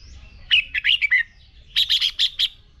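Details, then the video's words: Red-whiskered bulbul singing a fighting song for training: a quick warbled phrase of four or five notes, a short pause, then six bright, evenly spaced chirping notes. "Chào Mào Hót Đấu Kích Bổi Lên Lửa. Luyện Chào Mào Sổ Giọng Hót Căng Lửa."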